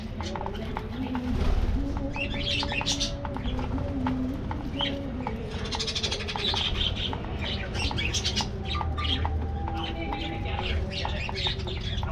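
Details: Aviary colony of budgerigars chattering: dense bursts of scratchy warbles and squeaky chirps coming and going over twelve seconds, with soft clicks and a constant low rumble underneath.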